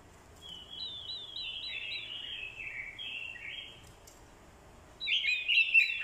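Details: Decoy orange-headed thrush male singing fighting song in response to a female's call: a long stream of falling, warbling whistles, a short gap, then a loud, harsh, jumbled burst.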